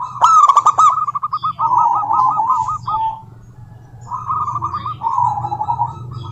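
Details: Female local zebra dove calling out to a rival, giving sharp clipped notes, then fast rolling series of staccato mid-pitched coos in bursts separated by pauses, over a low steady background hum.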